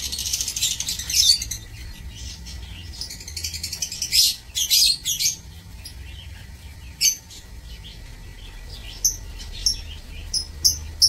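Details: Several lovebirds kept in an aviary for breeding, 16 March 2024, giving harsh high chirps and squeaky chatter in clusters, with short sharp notes spaced a second or two apart near the end over a low hum.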